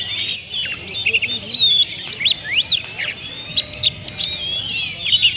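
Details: Kacer, the oriental magpie-robin, delivering loud varied song: sweeping whistles, steep up-and-down slurs and clustered high chips, with short pauses between phrases and a faint low hum beneath.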